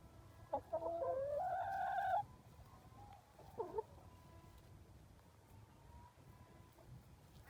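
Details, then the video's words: Whiny chicken: one drawn-out, slightly rising, strained note lasting about a second, followed later by a short, quieter squeak, over low background hum. "My chicken making whiny sounds"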